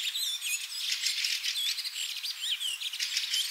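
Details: Javan green magpie, possibly captive at a wildlife centre, gives a busy mix of high, sweet whistles and harsh, rattling chatter, with short curving notes running almost without a break.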